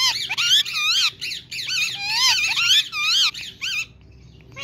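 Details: A pet talking rose-ringed (green ringneck) parakeet repeats the phrase "Mithu Beta" in a shrill, nasal voice, with rapid wavering squeaky syllables over about four seconds, then quiet.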